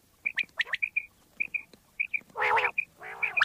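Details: Common quail recorded for hunting in Pakistan: short paired piping notes alternate with quick sharp notes, and two long rough, noisy squawks come near the end.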